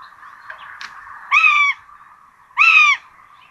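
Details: At a common buzzard nest in Tiszalök, Hungary, on 26 June 2022, the two chicks are fed rabbit. Two harsh, drawn-out mewing squeals about 1.3 seconds apart sound over a constant low background hum.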